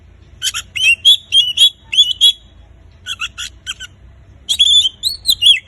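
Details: Oriental magpie-robin in full gacor song, for prompting silent kacer: rapid runs of short whistled notes, about four a second, each with scratchy overtones, broken by a pause before a final flourish of looping whistles.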